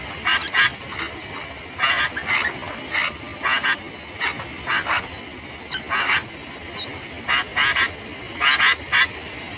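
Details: {'caption': 'Sooty-headed bulbul chicks begging as their parent feeds them. Scratchy bursts come in irregular clusters, interspersed with short, high, slurred whistles, over a continuous high-pitched hum.'}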